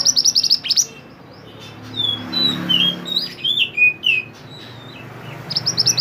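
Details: Mantenan, a mountain bird recorded while singing actively to serve as a tutor for songbirds: quick high trills open and close a string of varied whistled slurs, some rising and some falling, over a low hum.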